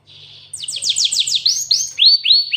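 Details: Cinereous tit (glatik watu) with canary-filled song: a thin steady tone, then a rapid cascade of sweeping downward notes, shifting into a series of loud rising whistles.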